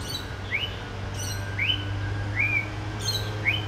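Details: A male white-rumped shama imitating other birds gives four loud rising whistled notes spaced about every 0.6 seconds, interleaved with faint high descending notes, over a constant low droning hum.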